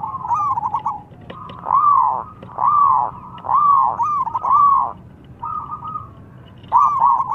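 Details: {'caption': 'Local zebra dove (perkutut) song meant to provoke rival birds: a stuttering trill, then five loud arched coos at roughly one per second, a pause and a closing trilled phrase, over low hum.'}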